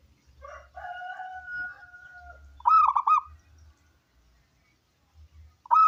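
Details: Local wild zebra dove recording for luring others to sing; a long drawn two-toned note, then a loud rolling burst of rapid coos, and another burst starting at the very end.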